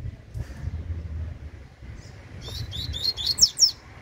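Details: Young double-collared seedeater singing in the tui tui style: after a quiet start with low rumble, a fast run of very high, thin, sharply slurred notes bursts out near the end.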